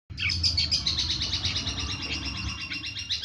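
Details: A long-tailed shrike, used as a master recording to train other shrikes, pours out a fast, dense chatter of high, scratchy notes, several per second without pause, over a low steady hum.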